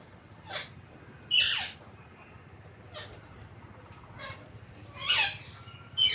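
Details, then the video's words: A pet green parrot calls with short, raspy, broadband squawks spaced a second or more apart over a steady low background hiss, the loudest bursts near the middle and end. "Natural sound of parrot video"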